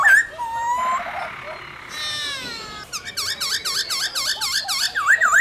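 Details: White-cheeked laughingthrush song in forest style: an opening whistle, a sliding harmonic note, then a rapid run of looping V-shaped whistles repeated several times a second.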